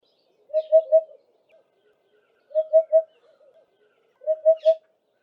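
African hoopoe giving soft, hollow hoop-hoop-hoop phrases of three low notes, repeated about every two seconds, with faint chatter between.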